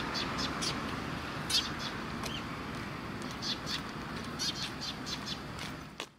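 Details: Group of sparrows gathered at food at a shrine, 10 October 2017: frequent short chirps and cheeps from several birds amid constant rushing background noise.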